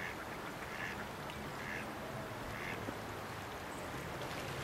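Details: Canvasback recorded at Sechelt Marsh, Sechelt, BC, March 2011; three short, hoarse quacking notes spaced about a second apart, heard through constant broadband background noise.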